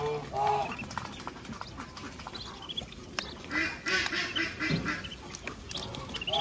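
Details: Mother duck on a rural farm leading her ducklings to feed, with scattered quacks among busy high peeping and chirping from the young, soft background chatter and clatter throughout.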